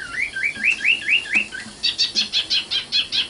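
Common nightingale song: six clear rising whistled notes in quick succession, then a rapid run of about nine harsher, buzzy repeated notes.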